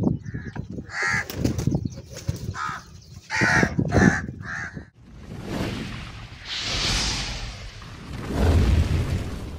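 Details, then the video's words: Several crows fighting over food and eating cheese: a burst of harsh, nasal caws repeated about six times in the first half, followed by loud scuffling and rustling noise with a faint hiss. "Crow sound & Fight For Food"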